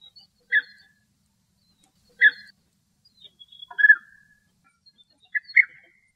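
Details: European bee-eaters, a male and female, in Greek nature: short rolling, trilled notes around the middle pitch range, given singly or in quick pairs every one to two seconds, with clean silence between calls.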